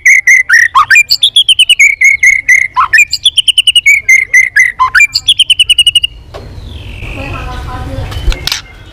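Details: White-rumped shama in competitive song with tail flicking, many-voiced: a fast chattering run of short repeated notes with bright overtones for six seconds, pitch stepping up and down, then a noisy hiss with a faint rising whistle.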